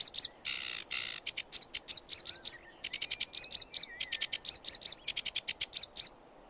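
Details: Sedge warbler song mixing harsh buzzy churrs with rapid clicking chirps and sharp high notes in varied rhythm; a faint thin whistling from another bird runs underneath.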